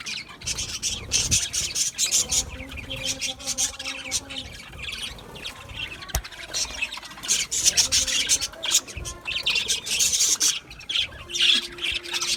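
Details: Chattering budgerigars make harsh, scratchy squawks and rasping twitters in uneven bursts, with a single sharp click near six seconds and a short steady tone near the end.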